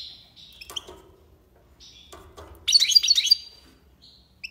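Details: Algiers goldfinch in tiwawati style: faint twittered notes and a few knocks and rustles, then a loud, fast cluster of bright chirps in the middle.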